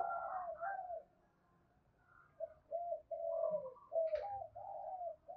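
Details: Spotted dove cooing, the urging call known locally as thúc bổi: soft low hollow coos in short phrases with gaps, faint and somewhat muffled.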